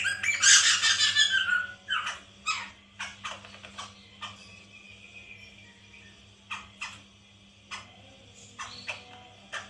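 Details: White-crested laughingthrush recording played as a lure to prompt a captive bird to sing along: a loud harsh, cackling burst for over a second, then scattered short dry clicks and chips over a steady low electrical hum.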